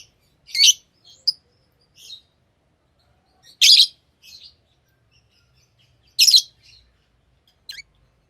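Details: Lovebirds kept as pets giving loud, isolated shrill chirps every two to three seconds, each trailed by softer short notes, with quiet gaps.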